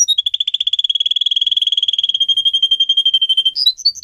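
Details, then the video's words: Pet canary singing a rapid trilled tour of clear notes near one pitch, repeated about four times a second, ending in a few higher whistled notes; no other sounds. "Canary song video - type of song"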